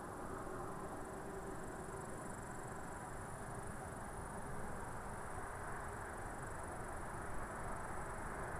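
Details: A steady, low mechanical rumble with a constant high hum, like passing rail traffic, continues throughout with no animal voices heard.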